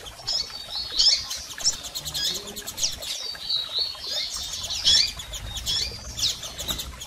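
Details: Female and male double-collared seedeater calls meant to fire up a male bird: sharp, high chirps and short twittering runs at irregular intervals, mixed with steady wing-flapping flutter.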